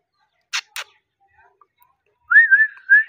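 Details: A talking Alexandrine parakeet gives a clear, wavering mid-pitched whistle lasting about a second, then a shorter rising whistle, after two sharp clicks.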